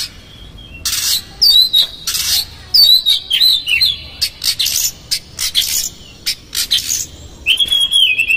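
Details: Oriental magpie-robin song used as a lure to provoke another magpie-robin, full of rough mimicked fill-in phrases: loud harsh rasping bursts alternate with clear whistled notes and quick trills, all high-pitched, delivered in rapid clusters with short pauses.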